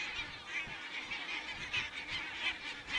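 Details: Geese recorded by a crane camera in Estonia on 27 September 2017, giving short nasal honks about every half second in a busy, overlapping flock chorus.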